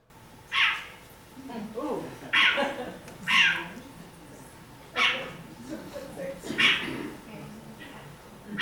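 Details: Short-eared Owl, a wetland owl wintering in New Jersey, giving an angry call: five harsh, raspy barks, each under half a second, one to two seconds apart, while a person talks quietly indoors.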